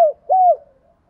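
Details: Spotted dove cooing in the Vietnamese 'thổ pha' and 'hạp bổi' voice styles, used to draw rival males in to fight: a low falling coo, then a longer, steadier hooted note after a brief pause, in quiet surroundings.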